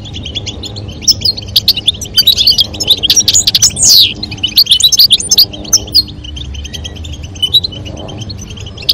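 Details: European goldfinch, female calling and male singing to stimulate mating; dense high twittering and liquid trills in continuous bursts, with a steady low hum underneath.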